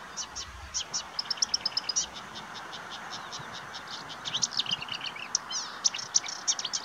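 A marsh warbler pours out a fast, varied run of high chattering, trilled and buzzy notes, with short phrases repeated in quick succession over a faint background hum.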